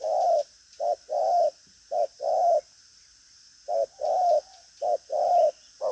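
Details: Trained spotted dove with lively behaviour and a hard, pushing coo. Deep hollow coos come in quick short-long pairs, four pairs split by a brief pause, with a steady background hiss.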